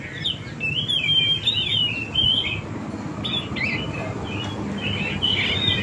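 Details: Oriental magpie-robin song played to lure wild and young birds: short whistled, warbling phrases repeated with small pauses, fairly soft over a steady low rumble of background noise.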